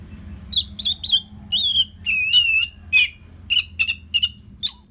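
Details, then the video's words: Orange-headed thrush from Bali, Indonesia, singing for training other birds; clear, varied whistled phrases with wavering and down-slurred notes, delivered in short bursts about twice a second, over a low hum. "Dipancing Dengan Kicauan ANIS MERAH Gacor Selow Ini"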